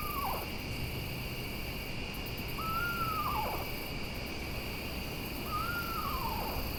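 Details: Eastern Screech-Owl at night near a trail, perched close and curious after flying over, giving three quavering, horse-like whinnies that fall away in pitch, about one every three seconds, over a steady night-insect drone.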